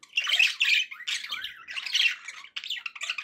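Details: Budgerigars kept indoors produce continuous harsh warbling chatter with loud squawky notes early on, dipping briefly before a final burst.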